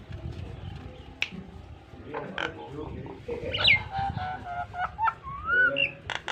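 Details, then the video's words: Nias hill myna song used as a training model for pet mynas: scattered clicks and rasps building into loud whistled slurs and a rising-falling fluty phrase, over low background noise. "BURUNG JALAK NIAS GACOR FULL ISIAN"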